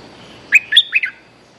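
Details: A bulbul used for luring gives one brisk phrase of four liquid, chortling notes that step up and then down, clear against a quiet background.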